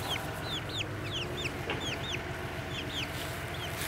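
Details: Young chicks treating their keeper as their mother, peeping constantly: quick, clear, descending cheeps overlapping from several birds, set against a continuous low mechanical drone.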